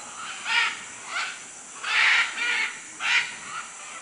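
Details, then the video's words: Harsh, raspy macaw squawks from Manu, Peru: four or five separate screeches about half a second long spaced irregularly, with steady high insect buzzing behind. "Guacamayos Manu Perú"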